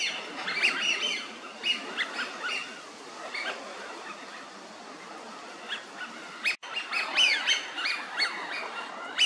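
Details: Eurasian wigeon at Mizumoto Park, Tokyo, in March 2023, give clear, whistled, falling 'wheeoo' calls at irregular intervals, several birds overlapping, over a steady murmur of flock chatter.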